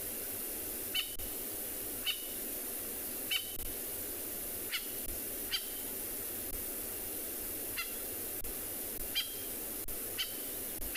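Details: Natal spurfowl (francolin) on a morning safari drive in a South African game reserve, 2 July 2021, gives sharp, harsh alarm notes about once a second, probably alarming at a nearby big cat; steady background hiss.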